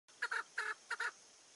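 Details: A female chukar partridge gives three quick groups of harsh, clucking notes, a single chuk then two doubled ones, over a quiet background.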